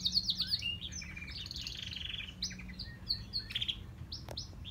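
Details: Grey and crested canaries sing rapid, high chirps and trills, with bright repeated notes and varied phrases over a low steady hum.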